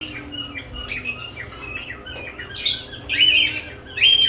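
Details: Lovebirds active around newly added nest boxes, giving bursts of harsh, high chirps and squeaky notes in uneven clusters, with louder shrill calls near the end; indoor room hum underneath.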